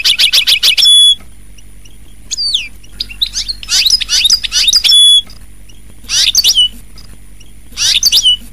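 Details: Goldfinch twittering in short, bouncy bursts of high notes mixed with thin, downward-sliding whistles, the phrases separated by pauses of a second or more over a steady low hum.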